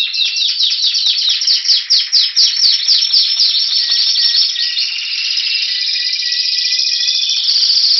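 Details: Spanish Timbrado canary from 2015, Anavissos, Athens, Greece, February 2016, singing ahead of spring; begins with a rhythmic series of descending chopped notes about three per second, then shifts into a smooth sustained rolling trill with low whistles.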